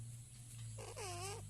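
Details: Pet parrots kept at home, chirping: a short nasal call, then a longer harmonic-rich note that arches and falls, lasting about half a second, over a steady low electrical hum indoors.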